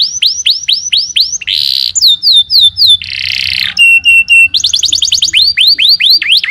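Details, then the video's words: Varied canary song: curved whistled notes repeated about five times, then buzzy bursts, short steady tones, quick trills and more rising-falling whistles in changing sequences. "Kenari gacor"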